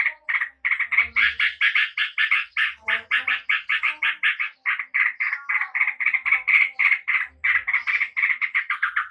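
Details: Yellow-vented bulbul from Java pouring out a clear, rapid chattering song meant to provoke a fast response: steady burbling notes repeated several times a second for the whole stretch, with soft low knocks now and then.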